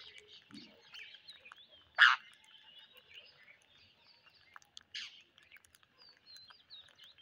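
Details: Parrots on a rainy day: one harsh, broad squawk stands out near the middle, with fainter chirps and scattered sharp ticks around it.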